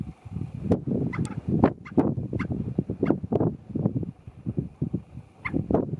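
White-tailed ptarmigan giving low, soft clucks and croaks in quick, uneven bursts, with a few faint higher clicks between them.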